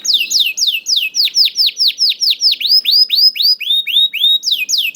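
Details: Song of a young canary (kenari paud), played to coax reluctant canaries into singing: steady series of about four bright downward-sweeping whistled notes per second, shifting to curved rising notes near the end.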